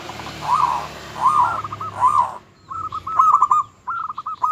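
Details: Local zebra dove singing to provoke rivals: three arched, hollow coos, then rapid broken trills of short percussive notes, with faint high chirps in the background.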